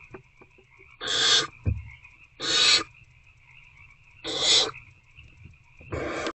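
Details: Owlets begging in a nest box on the evening of 26 February 2024 while trying to eat a rodent: four rough, noisy screeches at regular intervals, a few soft taps between them, over a steady faint high hum.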